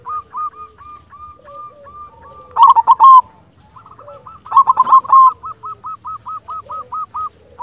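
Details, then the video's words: Actively singing local silver zebra dove. Even, hooked coos repeat in series, interrupted twice by loud rolling phrases, then resume in a steady run of about a dozen notes. "Perkutut silver gacor"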